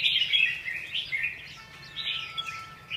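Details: Red-whiskered bulbul singing: a warbling run of chirpy, slurred high notes, with a louder burst at the start and a quieter, steady stretch after, over faint background hum.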